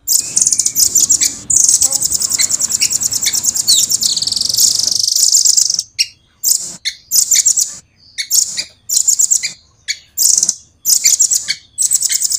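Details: Clear, nonstop velvet-fronted nuthatch song built from long, fast rolling trills. A five-second very high buzzy run opens, followed by repeated shorter rapid bursts broken by quick gaps.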